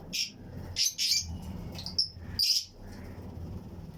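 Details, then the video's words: Fischer's and lutino lovebirds kept as breeding pairs in a flight-cage colony aviary, chirping among other birds: a few sharp, high, harsh chirps in short bursts, separated by quiet gaps over a low background hum. "Fischers & Lutino Colony Chirping Sounds"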